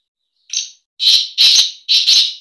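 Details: Breeding call of a black francolin (kala teetar): a brief scratchy opening note followed by four harsh, buzzy, strident notes, the final two closely paired, against a silent background.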